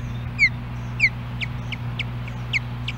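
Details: Female osprey calling for her mate at the nest, Hellgate Canyon, Missoula, Montana, July 14, 2016, on a nest camera: two loud, sharp downslurred whistles, then a quicker run of softer chirps, over a steady low hum.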